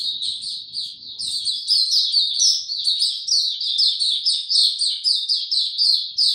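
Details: White-eye, caged and without health supplements, singing on 29 April 2022: an unbroken run of high, tinkling twitters and chirps, clean with almost no background noise.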